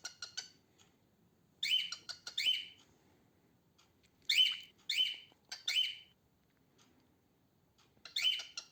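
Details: Female cockatiel singing in its usual way, since females rarely whistle: harsh, raspy squawks with a bright ringing core, given singly or in quick pairs and triplets, with gaps of one to two seconds between bursts in a quiet room.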